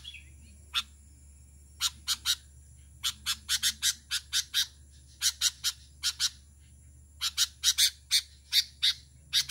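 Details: A sooty-headed bulbul calling to other bulbuls gives sharp, high chirping notes in quick bursts of two to five, with short pauses between, over a faint low hum.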